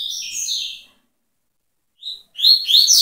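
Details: A double-collared seedeater (coleiro) sings tui tui style: a sweeping high phrase fades out, a gap follows, then a brief note and a loud tumbling burst of sharp, high twitters.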